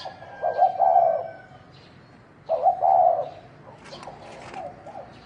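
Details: Spotted dove, a wild field bird, calling in a fight: two rough, low cooing phrases about two seconds apart, then softer coos, over steady background hiss.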